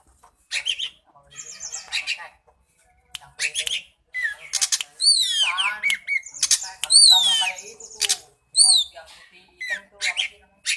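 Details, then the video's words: Oriental magpie-robin, shown flicking its tail, singing a varied song of high whistled phrases, sweeping slurs and sharp chattering bursts, separated by short pauses "kacer main ekor"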